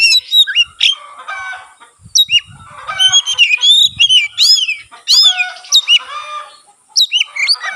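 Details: Oriental magpie-robin (kacer) in full song with its tail spread, a song said to stir other magpie-robins into singing; loud, varied whistled phrases with rising and falling slurs and short buzzy notes, broken by brief pauses.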